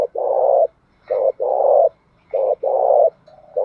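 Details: Spotted dove with a 'thổ bầu' voice calling to stir a fight: a run of deep, even coos in pairs of one short and one long note, repeated without pause.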